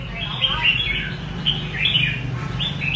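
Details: Red-whiskered bulbul giving rê cầu song: rapid chirpy, slurred notes rising and falling in short bursts, with a low droning background and a brief murmur of other sound.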